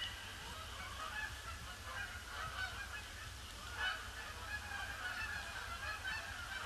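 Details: Canada geese circling a pond before landing on a grey Boxing Day in 2015; a softer, more distant mass of overlapping honks, with a few sharper calls standing out over steady low background noise.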